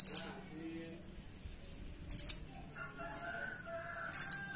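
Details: Velvet-fronted nuthatch song, used as a master recording for training caged birds: short rapid clusters of two to three very high, sharp ticks about every two seconds, with faint other bird notes and a steady high background whine.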